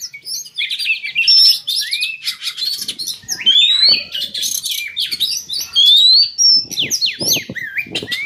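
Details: Captive-bird lure of Oriental magpie-robin song meant to stir breeding drive: a long, rich run of clear rising whistles, quick zigzag notes and scratchy chatter in bursts, with faint low background rumble.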